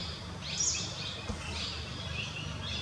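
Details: Grey wagtail, a winter visitor to Kanha National Park, India, in a habitat of flowing rocky forest streams and pools, giving brief high, thin chirps over steady low rumbling background noise.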